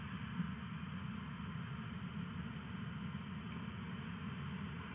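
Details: A steady low engine-like rumble with a constant droning hum and faint hiss continues throughout, with no animal calls.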